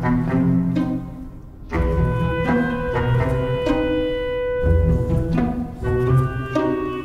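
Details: Slow classical music of bowed low strings with sustained notes, with no animal sound.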